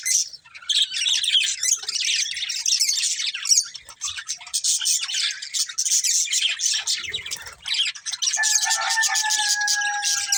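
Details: Flock of budgies giving constant scratchy warbles and high chirps. Toward the end a steady sustained tone joins the chatter.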